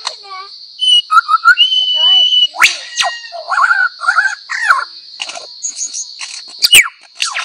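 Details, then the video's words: Male lyrebird, a mimic, singing to attract females: a jumble of varied whistles, rising and falling slurs and sharp clicks, over a steady high whine throughout. "Lir Kuşu / Taklitçi Kuş / Lyre Bird / Mimetic Bird"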